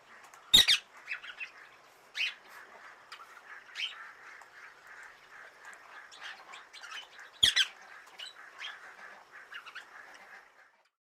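Two harsh, loud parrot squawks about seven seconds apart, with a steady run of softer chattering chirps between them.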